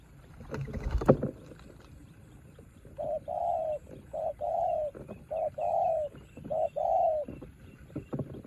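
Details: A decoy spotted dove, used to lure birds, calls in the rain while facing off against a wild bird. Its mellow, hoarse coos come in short rounded phrases, repeated in a broken series after an opening thump, over a steady wet background hiss.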